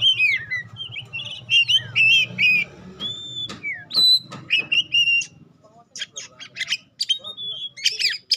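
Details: Singing Oriental magpie-robin of the kacer pastol type, used to provoke other birds: fast sequence of whistled slurs, warbles and sharp high chips with short pauses, light low hum early on.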